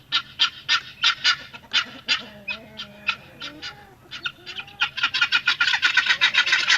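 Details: Domestic village helmeted guineafowl (Numida meleagris) give harsh, grating calls, repeated about four times a second and building into a dense chatter at the end, over a faint low rumble.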